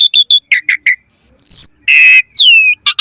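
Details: Asian pied starling singing in the mompa (pumping) style with full variation, used for training birds; short chipping notes, then long descending whistles and a broad raspy burst, ending in rising slurred notes.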